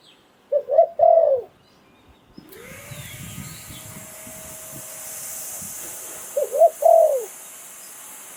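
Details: Spotted Dove used as a Thai decoy caller, Sai Phon Liu Tan style. Two coo phrases, quick rising notes and a falling croon, sound at the start and end. Between them, a loud steady hiss and a low mechanical hum take over.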